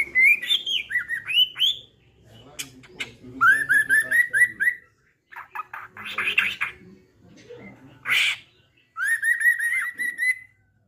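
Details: Male Medan-type white-rumped shama, a mutation bird, singing actively in trotolan style. Bright whistled phrases sit around a steady mid pitch, some sliding upward, broken by short buzzy bursts and brief pauses.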